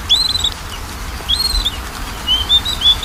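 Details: Oriental magpie-robin lure song for a bird that rarely sings: sparse arching whistles, one early and one mid-clip, followed by a string of short level whistled notes climbing slightly, separated by quiet pauses.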